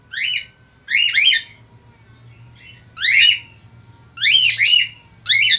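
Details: A male Australian finch in lively voice gives loud, harsh, arched squawking notes in short bursts of about half a second, with gaps of one to two seconds between them, over a faint low hum.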